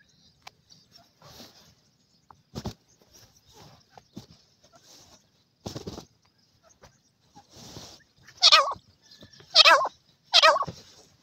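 Partridge giving harsh, rasping calls: softer scratchy notes at first, then three loud grating calls about a second apart near the end.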